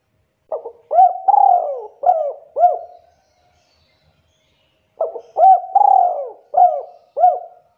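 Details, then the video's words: Spotted dove call used as a lure to get young birds to start calling: two clean phrases of soft, low coos, each a quick stuttered opening note then a drawn-out rolling coo and two shorter coos, with silence between phrases. "Pancingan Suara Burung Tekukur Deruk Bahan Macet Muda Agar Cepat Bunyi dan Gacor"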